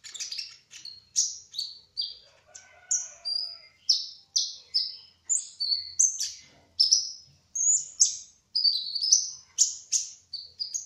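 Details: Kolibri ninja (brown-throated sunbird), a trotol bird singing gacor and ngerol: sweet high whistled notes, many slurring downward, delivered in a steady run about every half second, with a few soft lower buzzy notes near the start.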